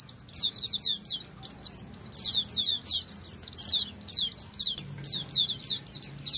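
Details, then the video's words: Group of Oriental white-eyes in chorus, played to make silent pet white-eyes reply and sing more often; dense, continuous high-pitched twittering, overlapping phrases with barely any gaps over several seconds. "Dengar Suara Pleci Ombyokan ini pasti nyaut burung pleci anda"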